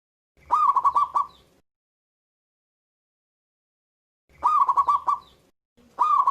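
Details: Strong-voiced local Zebra Dove in active song: a rolling phrase of five or six rapid coo pulses, a three-second pause, then another phrase and the start of a third.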